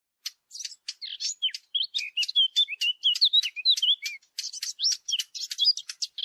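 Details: Warbler sound used as a hunting lure: a fast, busy run of short chirps, sharp clicks and brief whistled slurs, mostly high-pitched, delivered almost without pause over about six seconds.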